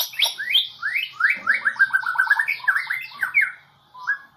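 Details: Competition white-rumped shama of the Medan type, 2018 President Cup national champion, delivering a rapid rich run of slurred descending notes and chattering phrases, dense and varied, ending with a short pause and a final whistle.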